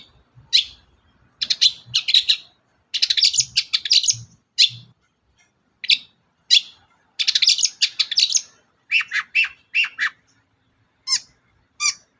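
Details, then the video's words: Long-tailed shrike singing to provoke other birds: bursts of rapid scratchy chattering alternate with single sharp chirps and short pauses, ending in a few spaced high notes. "suara pancingan burung cendet"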